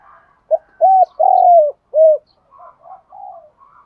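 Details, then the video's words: Spotted dove cooing used for training decoy birds. One strong phrase: a short pickup note, a rounded coo, a long sliding coo and a closing coo. Softer, quieter coos and murmurs trail after it. "tiếng chim cu gáy thúc đấu luyện cu gáy mồi gáy theo"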